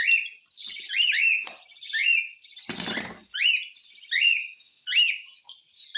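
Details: Cockatiel begs during hand-feeding with rhythmic rising squeaky rasps about once a second, and a sharp clattering knock midway.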